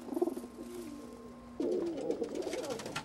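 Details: Pigeon youngster, shown at two weeks old and again at four months, giving low soft cooing notes early, then a louder rough warbling burst after a short pause, in a quiet small room.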